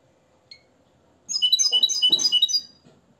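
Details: Moroccan hand-reared goldfinch trained in limpio song after Tarkiba Dahabia 2020. A lone faint chip is followed by a lively second-long cascade of tinkling, jumbled high notes, with a soft thump in the middle of the phrase.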